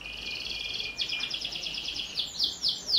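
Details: Domestic canary in full song, a lure for young canaries: a long steady high rolling trill breaking into quick stuttered notes and a few looping downward swoops.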